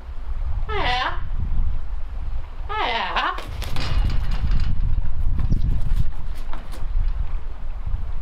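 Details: Fable, a female captive raven alone in her aviary on hidden camera, in a chatty mood, mimics speech such as "Hi Fable": two short, wavering, voice-like calls about two seconds apart, then quiet rustling and thumping.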